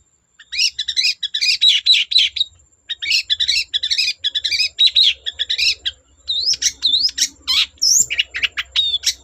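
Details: Long-tailed shrike in energetic song aimed at prompting other shrikes to sing: long runs of rapid scratchy chatter, then steeply falling and rising whistled slurs and sharp clipped notes, over a faint low rumble.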